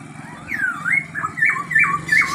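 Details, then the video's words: Chinese hwamei, one of two singing birds, white-cheeked and grey-cheeked, delivers rich looping whistles that slide up and down in quick succession over a low mechanical hum. "poksay hongkong pipi putih vs pipi abu abu, sama-sama gacor"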